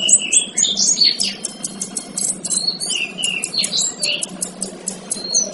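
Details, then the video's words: Song of a male kinoy used to teach other birds: fast, tumbling high twitters mixed with brief flat whistles and sharp clicking notes, delivered almost without pause. "Suara Burung Kinoy Jantan"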